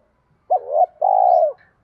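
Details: Spotted dove with a bronze-toned voice, used as a decoy bird to lure wild spotted doves, gives an urging coo: a short warbled note followed after a pause by a long, steady, low hollow coo.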